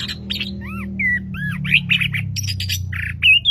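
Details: Hobby-kept orange-headed thrush in a fast, varied song: clear arched whistles, a downslurred pair, harsh buzzy bursts and a final rising whistle, over a steady low hum.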